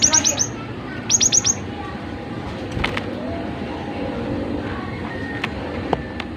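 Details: Cinereous tit in active song meant to coax other tits into singing: two short, fast volleys of four high, sharp piping notes in the first two seconds, then only faint ticks over a steady hum.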